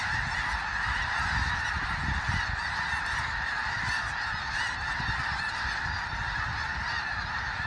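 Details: Snow geese in a large flock trying to settle for the night on Fir Island, Washington: a steady wall of overlapping, nasal honking calls from many birds throughout.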